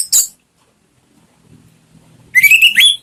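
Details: Orange-headed thrush in a lure recording to get a pet bird singing: one sharp high note, a pause with a faint low hum, then a rising, slurred whistle that bends upward twice.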